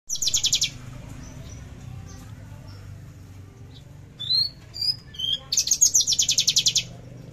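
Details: Javan bush lark singing a trotol-style song with fierce bursts, recorded 13 December 2022: a dense buzzy high trill opens, then sharp whistled slurred notes, then another long rapid pulsing trill, over a low hum.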